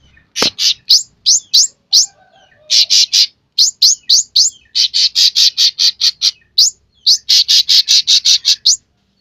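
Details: Sooty-headed bulbul in vigorous song, alternating sharp rising whistled chirps with rapid runs of rasping buzzy notes; a knock sounds near the start and a faint lower whistle follows.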